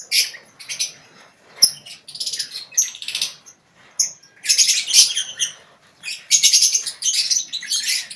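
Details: Lovebirds in a colony cage giving ngekek chatter: bursts of shrill, high, buzzy twittering and sharp chirps, pausing briefly between outbursts, several birds calling at once.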